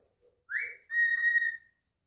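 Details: Wolf whistle from a pet cockatiel in a quiet room, one quick upslurred note followed by a held, steady whistle lasting about three quarters of a second.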